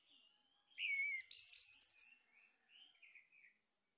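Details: Orange-headed thrush male singing, used as a lure to stimulate singing: a bright rising whistle followed by a dense jumble of high twittering notes, then softer sliding whistles.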